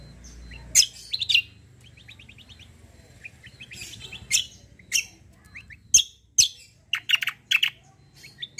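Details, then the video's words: Competition-grade kecial kombo white-eye used as a tutor bird. Mixed high chirps and short rising trilled notes, with louder sharp bursts spaced irregularly and a low rumbling background. "KECIAL KOMBO CUCAK KOMBO FIGHTER GACOOR || COCOK UNTUK MASTERAN"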